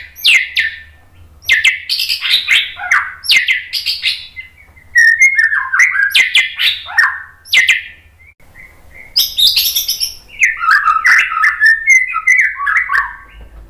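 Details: White-rumped shama training song meant to provoke a response. Loud, varied phrases of sliding whistles and buzzy notes arrive in bursts about a second long. Short pauses separate them, and a low hum runs underneath.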